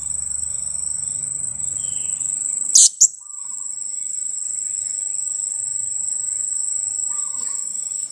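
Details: A two-week-old blue-crowned hanging parrot chick kept for luring wild birds utters two short, harsh, high squeaks in quick succession, set against a continuous shrill insect drone.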